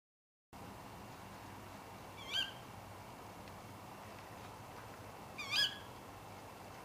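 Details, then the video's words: Female Tawny Owl calling late at night: two short, sharp, harsh screeching calls about three seconds apart against a quiet, steady background hiss. "Tawny Owl Call (Strix aluco)"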